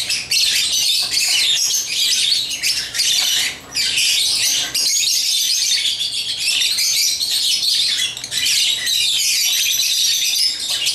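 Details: A long stretch of African lovebirds chirping during toy play: continuous high, buzzy squeaks and twitters, dipping briefly once before resuming.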